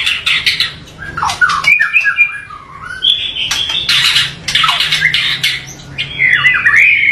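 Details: White-rumped shama singing a rough, varied song said to provoke rival shamas: dense mix of sharp chips, slurred whistles and loud buzzy rattles, delivered rapidly and irregularly with no clear pauses.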